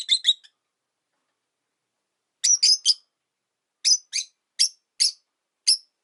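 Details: High, clipped chirps from a Rosy-faced lovebird kept with four others in a cage near a window, given in pairs and singles with gaps of about a second, calling often even in winter.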